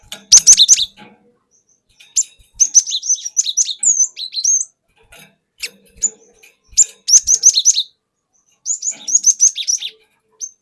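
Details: Cinereous tit song, a wild forest bird used as a lure recording, in the style called ngeplong with wucit wuit phrases and long rolls: bursts of rapid, high, down-slurred notes, each about a second, separated by short pauses; faint clicks in the background.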